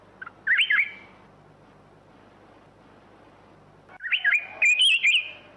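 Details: A black-crested bulbul sings a short, warbling phrase, falls silent for about three seconds, then delivers a longer, bubbly, wavering phrase.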